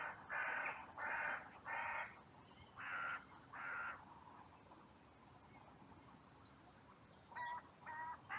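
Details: Cemetery crows recorded by trail camera in bright sunshine, raising a massive outcry after two of them fought, with more crows rushing in. Three rasping caws in a row, a pause, two more, then a quiet gap before two shorter caws.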